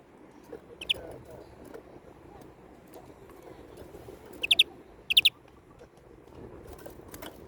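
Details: European greenfinch with one lone chirp early, then two short fast bursts of bright notes less than a second apart in the middle, against low background noise.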